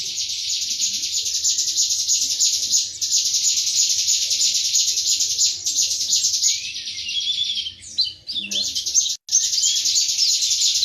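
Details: Indonesian white-eye, the wiksar type of pleci, giving a 'tembakan materi' song: an almost unbroken, shrill high twitter lasting about ten seconds, with a few sliding notes and a brief pause near the end.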